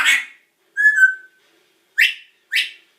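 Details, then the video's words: Male pet parrot known for swearing: a harsh squawked word, then a clear level whistle, followed by two quick bright upward-swept calls in quick succession, in a quiet room. "Funny swearing parrot"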